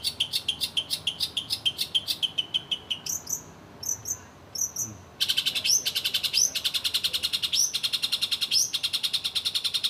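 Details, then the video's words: Caged long-tailed shrike in bright, high song: rapid repeated chirps for three seconds, then sharp rising whistled notes, then a dense run of fast chattering notes broken by upward-swept whistles. "burung CENDET masteran paling joss"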